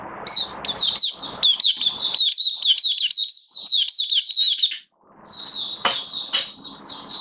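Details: Oriental white-eye, a caged hobby bird recorded 19 September 2022, delivering a long rapid run of high twittering, warbled notes, a brief pause, then more sustained high phrases with a few sharp clicks.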